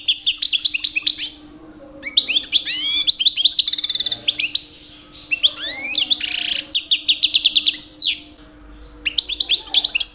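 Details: Caged two-year-old European goldfinch male in breeding season, singing loudly to attract females: bursts of liquid twitters, rising and falling slurred notes and buzzy trills, separated by short pauses; low constant hum in background.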